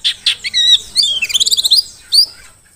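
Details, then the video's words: Mountain white-eye of the Dakun type, a wild-caught Merapi bird, singing a tutor song for training other birds: high thin whistled notes, then a quick run of a dozen rapid chirps and a final sharp rising trill. "Pleci Dakun Merapi Ngalas super gacor paling di cari untuk Masteran"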